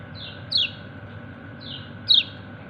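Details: White-eye, called kecial kuning, calling companions with two loud, high 'ciak' chirps about one and a half seconds apart, each a quick downward slur following a fainter lead-in note, over a quiet steady hum.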